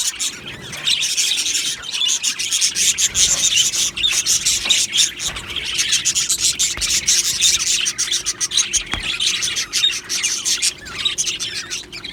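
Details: Budgie colony in an aviary producing a continuous dense, rasping chatter of many overlapping high chirps and squawks, no pauses, with a low steady hum.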